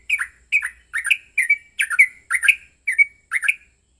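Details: Yellow-vented bulbul giving an emotional fighting song, used to provoke another bulbul into singing: short bubbly, warbling phrases, rising and falling, repeated about twice per second with sharp high ticks on each note.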